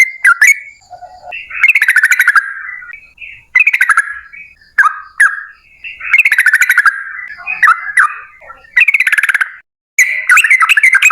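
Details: Yellow-vented bulbul in a long, excited song used to coax other bulbuls to sing: bursts of chattering, bubbly warbles alternating with mellow whistled notes, uneven in rhythm, with brief pauses between phrases.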